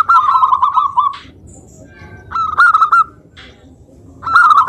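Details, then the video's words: Local zebra dove song played to lure other doves into calling: long rolling trilled coo, then shorter phrases starting with sharp staccato notes, roughly three phrases separated by pauses. "Perkutut Lokal Suara Gacor - Untuk Pancingan"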